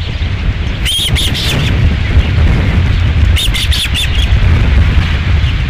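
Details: Ospreys calling at a nest at Dunrovin Ranch, 11 July 2016, during a second fish delivery: two bursts of shrill squawking chirps, each a quick series of three or four notes, against strong wind noise.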